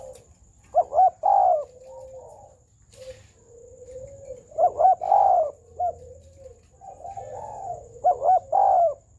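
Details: Spotted dove giving a full, round coo: three phrases, each made of a couple of short notes and then a deeper, longer coo, spaced about three seconds apart, with soft lower murmuring between them.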